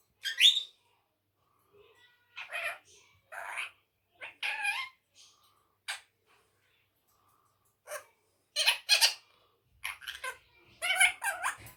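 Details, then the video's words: Indoor pet rose-ringed parakeet mimicking Urdu and Hindi words: a series of brief, scratchy, voice-like syllables scattered at irregular intervals, with a dense burst of raspy chatter near the end. "amazing talking parrot talking Mithu bayty Urdu and Hindi"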